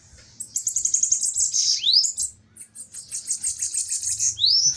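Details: Fiery bananaquits duelling in song, high thin rapid ticking trills of about a second each, each ending in a sharp rising upslurred whistle, two phrases in close succession.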